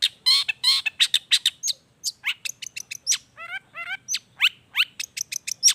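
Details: Spirited long-tailed shrike song full of natural mimicked fill-ins, used as a lure so reluctant shrikes answer: loud raspy chatters, quick rising whistles and two twangy downward-sliding notes tumble out in rapid, varied succession.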